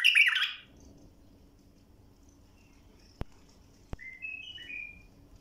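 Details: A bulbul opens with a loud, bubbly burst of notes, then a pause, two sharp clicks and a few short, clear whistled phrases; the clear song is used for tutoring other bulbuls.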